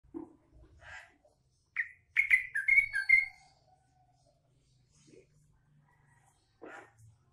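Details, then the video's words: Green leafbird singing with a trucukan-style fill: after soft scattered notes, a loud burst of rapid, chattering whistled phrases lasts about a second and a half, then fades to faint chips and a final short note. "Trucuk isian cucak ijo"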